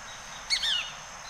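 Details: A Golden-hooded Tanager in Costa Rica gives one brief, thin, high call that slides downward, lasting about a third of a second over a faint steady hiss.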